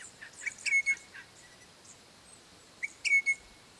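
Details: A pair of Crimson Rosellas calling their young, at home on a property. Two clear whistled phrases about two seconds apart. Each opens with a short sharp note, then holds a long, level, pure whistle that fades out. Faint higher squeaky notes accompany them.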